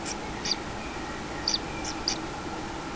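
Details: At a common kingfisher nest holding a one-day-old chick, 6 July 2016 at about 14:40, a few short, shrill high notes sound, some doubled, over a faint steady hum.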